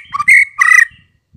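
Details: White-rumped shama lure song meant to make birds answer and sing fully: two short loud whistled notes, the second longer and steady, then a fading low murmur.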